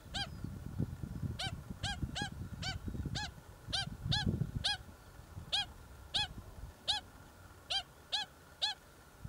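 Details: Pied stilt chicks from a colony nesting on an earthworks construction site on the Waikato Expressway near Hamilton, New Zealand: short, nasal, yapping notes about twice a second in loose runs, over low wind rumble.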